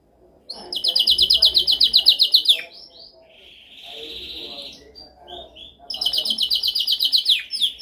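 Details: Canary song for training: a loud rapid pulsed trill lasting two seconds, a softer smooth sustained whistle, then the fast trill resumes.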